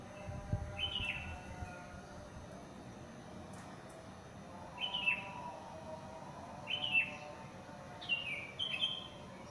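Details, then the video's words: Wild bird heard in a housing complex just after the dawn prayer, giving short descending whistled chirps spaced a couple of seconds apart over steady low background hum. "SUARA BURUNG"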